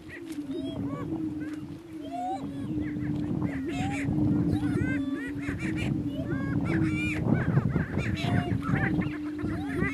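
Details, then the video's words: On a northeast Kansas lek two male Greater Prairie Chickens contest dominance, a constant low booming hum punctuated by many quick, high, wavering cackles and whoops. "Prairie Chicken Battle"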